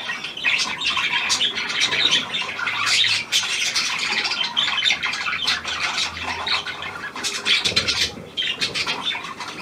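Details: Budgerigar, new hand-tame Australian pied bird, recorded 17 February 2023: continuous scratchy chatter and squawking, rapid and irregular, with a faint low hum underneath.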